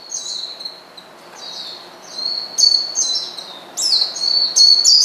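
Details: Oriental white-eye calling a rival to provoke it: quiet high chirps at first, then louder sharp descending twittered notes in quick succession toward the end.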